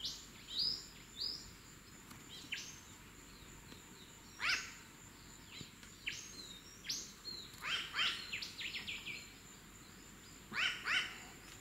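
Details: New Caledonian crow, wild and free-flying, vocalising during tool-making: harsh, broad 'wak' contact calls, some doubled, recur several times through the stretch, mixed with high twittering from other birds.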